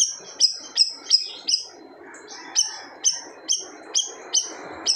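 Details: Gacor siri-siri bird delivering loud 'tembakan' bursts said to hush other birds: bright high notes in quick series, a brief pause, then more notes, over light background noise.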